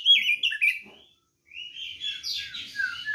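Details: Short burst of white-rumped shama fighting song used to provoke rivals: warbled whistles, a brief gap, then a harsh buzzy rasping phrase.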